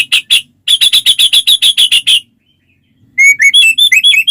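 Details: White-rumped shama singing to set other shamas off: quick sharp high notes in a fast regular chatter, a brief silence, then a lively sequence of varied rising whistles.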